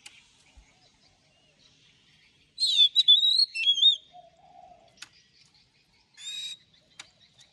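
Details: Oriental magpie-robin morning song in a long-note wild style: one rich burst of sweet looping whistles and chirps, then a quiet low warble, a short buzzy phrase and scattered faint clicks.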